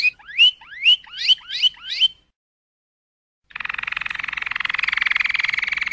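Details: Waterslager canary song: six swooping notes rising sharply in pitch, a silent gap, then a dense, rapid buzzing roll held for over two seconds.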